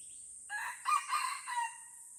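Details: Red junglefowl crow from Lamteuba forest, Aceh, recorded around a fight: a brief lead-in followed by three strong raspy pulses over about a second, ending in a drawn-out fade, with a high insect hum throughout.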